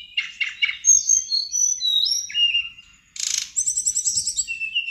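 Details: Energetic song of a sirdadu bird from Bali, played to draw answers from others: three buzzy chatters, gliding high whistles, a brief hush, a rasping burst, then fast repeated chipping notes about four a second.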